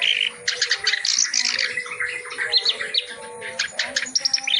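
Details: Reed warbler delivering full-repertoire song for tutoring: loud harsh rattling phrases alternate with thin piping whistles and scratchy trills, while low steady tones murmur underneath.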